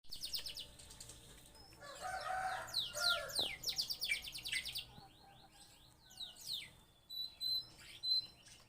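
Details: Male canary in breeding condition singing: fast high buzzy trills and rapid repeated notes, with short pauses and softer chirps later, over a low background hum.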